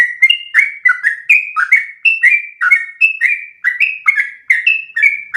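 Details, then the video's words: Long-breath rolling song ('ropel panjang') of a yellow-vented bulbul, a tutor recording for training other birds: a dense, unbroken run of bright whistled notes, each slurring down or up, alternating high and low in a lively, uneven rhythm. "MASTERAN burung trucukan terbaik biar ikutan ropel panjang 1 nafas"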